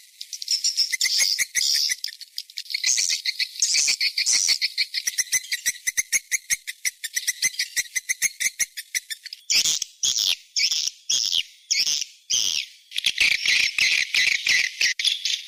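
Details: Swiftlets in a 'seruling sakti' lure recording for a nest house: long stretches of rapid clicking and buzzy twittering, shifting midway into louder, harsher chirps in spaced bursts.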